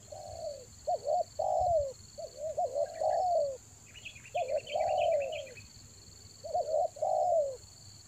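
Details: Rainy-season lure recording of a spotted dove from Toba: hollow coo phrases of quick hooked notes and drawn-out falling coos, plus a brief burst of faint high chirps from another bird and a constant high whine.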